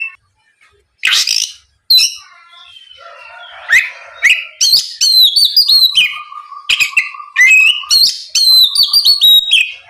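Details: Oriental magpie-robin in vigorous full song, used to provoke a rival into answering: sharp high whistles, rapid chattering notes and a steady low hum running underneath in the second half.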